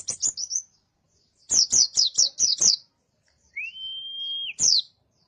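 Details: Oriental white-eye of the dakun type, a master song for cage-bird training: clipped high chirp series, a six-note run of sharp descending notes, then a long steady whistled tone and a final sharp note.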